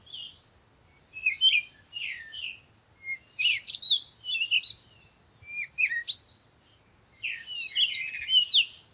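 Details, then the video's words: A bird sings short bursts of high chirps, twitters and sharp upward sweeps, separated by brief pauses and repeated roughly every second, against a quiet background. "Sound of the Birds"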